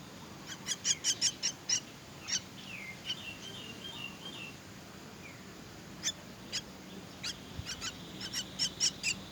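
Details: Begging myna nestlings during feeding: bursts of sharp, scratchy high squeals in quick clusters, a short lull with a thin wavering chirp, then another eager run of raspy cries.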